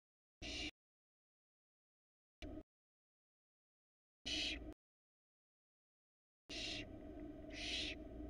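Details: Barn owls in a Florida nest box during the 2022 nesting season, male delivering a rat. Brief clipped fragments and silence, then two raspy hissing screeches near the end over low hum.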